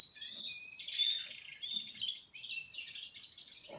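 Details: Russian canaries aged four months give an unbroken run of bright high warbling, shifting between fast trills and short whistled slurs.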